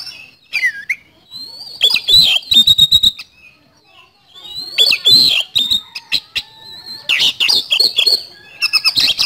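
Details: White-rumped shama delivering bursts of rapid high chattering notes and slurred whistles between quieter gaps, the phrases separated by a second or two.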